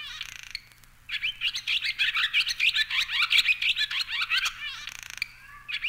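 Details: Barn swallow (Hirundo rustica), song.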